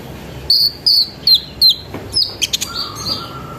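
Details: Olive-backed sunbird (konin) performing a lure song to set other sunbirds singing; four high whistled notes slide downward in even succession, followed by quick chips and a short, lower sustained tone.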